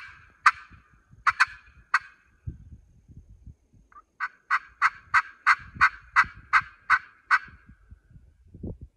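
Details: Turkey sounds on a spring turkey hunt on a hill with a crow about 200 yards off: a few sharp raspy notes, then about ten loud, evenly spaced yelps, roughly three per second, just after the hunter says he'll do a little yelp to locate a gobbler. Low rustling and footsteps underneath.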